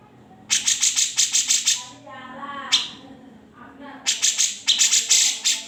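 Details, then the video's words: Grey-cheeked bulbul singing in short bursts of quick, bright high chips, about half a second to a second long, separated by pauses where a human voice speaks; original, unedited recording used to tutor other songbirds. "Cucak Jenggot (Kamandanu) Masteran Wajib Murai Batu & Cucak ijo dan burung lain nya"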